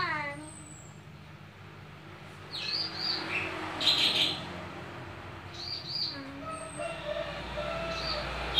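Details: Javan white starling singing a richly varied song while handled: a falling series of harmonic notes, then scattered clear whistles and short warbled phrases with faint, thin high whistles between them, over quiet background hum.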